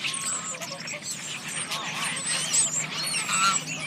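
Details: Geese calling, with harsh honking notes rising and falling in overlapping bursts from several birds, over a steady low hum and busy high-pitched background chatter.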